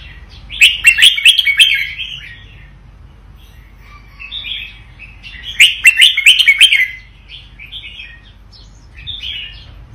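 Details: Vietnamese red-whiskered bulbul singing a doubled song: two loud bursts of quick warbled, chirping phrases about four seconds apart, with softer fluty notes between and after.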